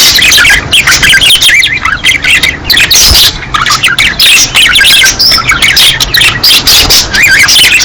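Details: Flock of budgerigars calling in breeding season, a thick stream of bright chirps, twittering warbles and occasional harsh squawks layered from several birds without gaps.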